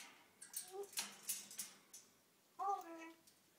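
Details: A pet African grey parrot talks in a few quick, voice-like syllables, then a longer, higher phrase after a short pause, in a quiet room.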